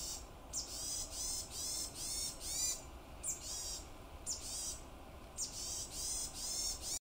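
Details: Varied tit on Mount Tsukuba or in Moriya City, Ibaraki Prefecture, Japan, giving a long series of high, harsh, nasal call bursts, about one every half second with short gaps, against faint background hiss.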